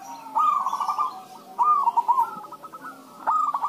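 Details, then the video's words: Back-and-forth zebra dove singing used as a lure for other doves: three rolling, trilled coo phrases with rapid note repetitions, the middle one loudest, and a faint low hum underneath. "pancingan suara perkutut rame"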